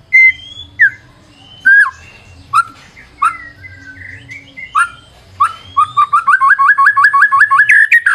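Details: White-rumped shama in full song as a lure: sparse, separated whistles and slurred notes that build into a rapid series of short repeated notes at the end.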